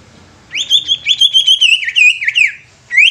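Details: Greater green leafbird in captivity, singing to make other leafbirds sing and become agitated. A two-second stream of rapid, rhythmic whistled warbles with frequent slurred drops, a brief gap, then another rising phrase. A faint low hum sits underneath.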